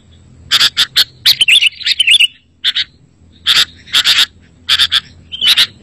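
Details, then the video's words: Sooty-headed bulbul singing as a lure for trapping and prompting caged birds: loud paired chips followed by short warbled twittering phrases, separated by brief pauses, against a quiet background. "Suara Masteran Burung Kutilang Berkicau, Kutilang Auto Nyaut"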